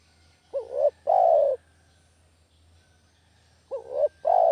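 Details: Low cooing of a spotted dove used as a trapping lure: one full two-part phrase, a quavering rise then a sustained coo, followed about three seconds later by a second phrase cut off at the end.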